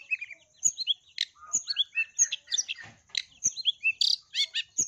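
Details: Long-tailed shrike (cendet) in full song packed with mimicked tree sparrow phrases, used as a lure to prompt other shrikes to sing: rapid, varied high chirps, buzzy notes and short whistled slurs, tightly packed with brief gaps.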